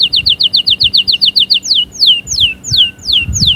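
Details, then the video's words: Canary in song: a quick, even trill of about a dozen repeated chirps, followed by slower, sweeping downslurred whistles roughly twice a second; faint low background noise. "أقوى💪 تحفيز لطيور الكناري📣 أأأستحالة يصمت معها نار نار👉cinary_singing2020"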